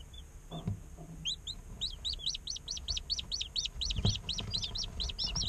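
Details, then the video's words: Chicks a day old in an incubator; after a couple of isolated peeps, a rapid, even string of high chirps follows, several per second from more than one chick, with soft knocks underneath. "Chicks Chirping Sounds - Baby Chicken Sounds"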